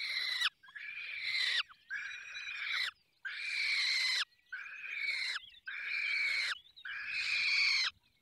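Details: Feeding at a falcon nest in the Barycz Valley brings a steady run of harsh, buzzy screeches. Each lasts about a second and is followed by a brief pause, roughly seven calls in eight seconds, with occasional short squeaks between them.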